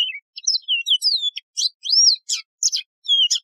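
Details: Continuous three-and-a-half-second run of Yellow-fronted canary song: arching whistles, falling slurs and buzzy chips in fast succession, clear and loud from a wild canary known as Mozambique serin.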